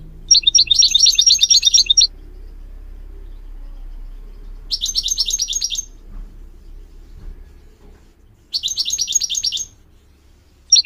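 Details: Goldfinch song played as a tutor to teach goldfinch mules and a canary to sing: three bright, rapid trilled bursts of about a second and a half each, separated by quiet gaps, with a faint low hum underneath.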